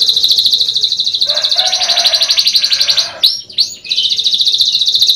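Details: Canary song from a young bird, used as a lure recording: a rapid, even buzzy trill throughout, broken near the end by a couple of sweeping whistled slurs before the rattling trill resumes.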